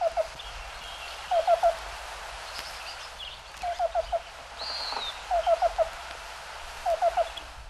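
Black-billed Cuckoo giving soft, low, hollow cu-cu-cu notes in quick groups of three or four, repeated about every one and a half seconds; a thin higher whistle is also heard.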